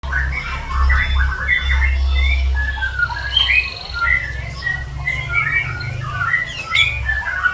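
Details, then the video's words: Javan bush lark in heightened breeding condition, known locally as over birahi, delivering a dense, continuous run of quick chirps, short slurred whistles and trills at varied pitches, with a steady low hum underneath. "ini yg dinamakan over birahinya , burung branjangan java"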